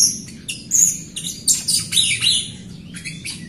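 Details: A vocal Jalak Rio myna, kept to draw song from quiet Rio birds, delivers a rapid jumble of harsh, buzzy chirps and squeaky whistles in short clustered bursts.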